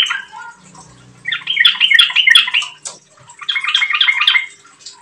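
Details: Yellow-vented bulbul in full, chatty song, meant to coax other bulbuls to sing steadily: two lively gurgling phrases of rapid warbled notes, with a faint low hum early on.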